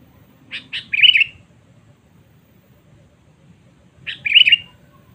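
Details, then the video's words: Sooty-headed bulbul calling to lure rivals: two phrases about three seconds apart, the first opening with two quick clipped notes before a bubbly warble, the second a single warble, over faint low background noise. "Pikat Kutilang Cengkram Memanggil Musuh Terkuat Sepanjang Masa"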